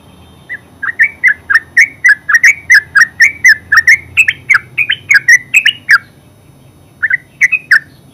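Yellow-vented Bulbul pouring out a fast run of bubbly, slurred chirps, about four a second for five seconds, then a brief pause and a few more notes.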